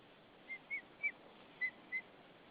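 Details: Female white-tailed eagle at her nest in Saunja, Estonia, calling softly to her mate as he brings hay, 20 March 2013 at 18:13; five short, thin whistled notes spaced about a quarter to half second apart over a quiet background.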